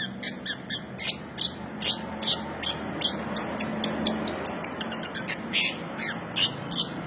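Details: Long-tailed shrike singing an imitation of house sparrow: a rapid run of short, high, sharp chirps, roughly two to three per second with uneven spacing, over a steady low background hum.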